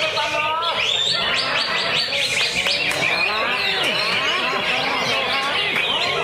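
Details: Cucak ijo, or greater green leafbird, kept caged in a lovebird cage and singing ngentrok with full fill-in phrases: a rapid cascade of sharp downslurred chirps and twittering notes, densely layered without pause.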